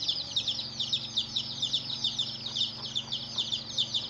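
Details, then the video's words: Chicks of a hen cheep in a lively chorus, the high piping notes pulsing in small bursts about twice a second, with faint soft clucking-like sounds lower down. "Hen Murgi Baby "Chicks Chirping" Sound"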